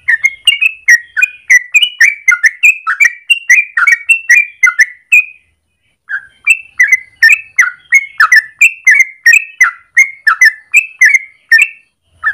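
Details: Long morning ropel of a yellow-vented bulbul, recorded as master or lure for training birds: rapid bubbly whistled notes for five seconds, a one-second gap, then another fast chattering burst.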